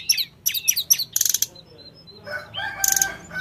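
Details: Sooty-headed bulbul song used as a lure to make wild-caught birds answer quickly: bursts of rapid high chirps and trills, a brief pause with faint thin whistles, then harsher clustered notes at the end.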